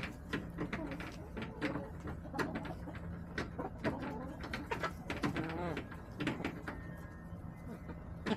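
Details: Backyard hens on a homestead, recorded March 24, 2024, clucking: low, throaty harmonic clucks repeated in irregular bursts, with knocks and clicks from the coop around them.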